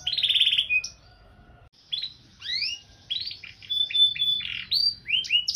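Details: Singing canary with elaborate varied phrases: an opening buzzy roll, a short quiet gap, then upslurred whistles, chirps and a sustained thin tone mixed together at irregular intervals.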